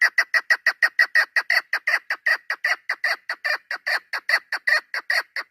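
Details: Female chukar partridge kept for hunting, recorded 3 May 2025, giving a rapid run of harsh, clucking chuck notes, about three per second, loud and steady throughout with no other sounds.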